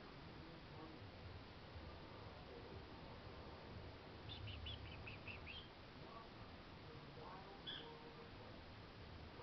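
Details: Pet kakariki indoors chattering at its owner while begging for snacks; a quick run of short high chirps rising and falling, then a single later chirp, over low room hum.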